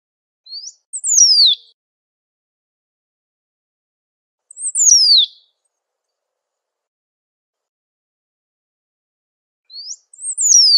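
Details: Great pampa finch singing and calling in nature: the same short phrase repeats three times about every four to five seconds, a rising chip followed by a bright descending whistle, with silence between phrases.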